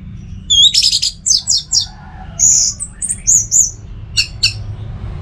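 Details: Pet orange-headed thrush from North Bali giving a burst of high, squeaky notes, slurred whistles and short rasping chirps in quick, uneven succession over faint low background hum.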